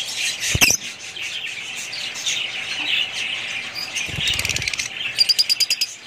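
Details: Budgerigar family twittering steadily, with a loud sharp squawk early on, a burst of wing flapping, then a quick run of evenly repeated clicking chirps at the end.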